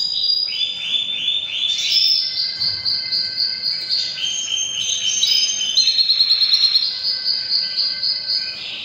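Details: Canary singing hard during breeding season: layered high trills and sliding whistles in overlapping phrases, pulsing rapidly and continuously over nearly nine seconds with a steady loudness.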